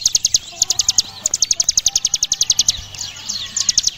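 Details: Mountain ciblek (Javan prinia) in full 'ngebren' song, a long rapid rattle of high, sharp notes repeated about eight per second, with brief breaks and a softer stuttering end.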